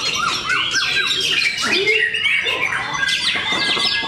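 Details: Singing contest of white-rumped shamas at Bharata, Cikeas, with several birds overlapping in loud, varied song: short rising whistles, a low slurred note mid-way, and fast chattering phrases throughout.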